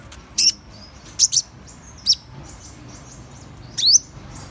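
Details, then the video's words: Sparse, sharp high chips from Van Hasselt's sunbird, one doubled, separated by pauses of nearly a second, ending in a rising slurred squeak against soft background noise. "Tiếng chim HÚT MẬT 7 MÀU chuẩn ✅Van Hasselt's Sunbird(Leptocoma Brasiliana)"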